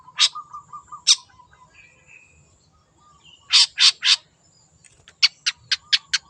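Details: Wild long-tailed shrike mixing harsh rasping bursts with a soft low ticking, a brief whistled note, and a closing rapid series of sharp clicking chips.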